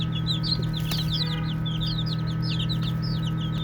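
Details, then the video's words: Baby chicks playing fill the air with quick, high, curved peeps, many overlapping, plus a single click near the start and a continuous low hum. "5 Minutes of Baby Chicks Chirping Sounds | Cute Playing"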